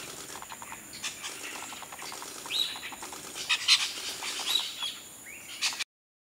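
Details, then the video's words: Chestnut-tailed starling giving a run of thin, high, squeaky chirps and metallic notes, uneven in pace, over faint rhythmic background clicking. "Grey Headed Starling Bird || Grey Headed Myna Bird"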